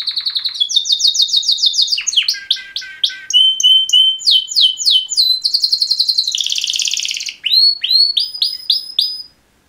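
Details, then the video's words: Singing male canaries, two birds, in mating song: a series of repeated sweeping chirps, clear short whistles, a dense buzzy burst, then rising repeated notes before falling silent. "Super Two Males Canary Mating Call Songs"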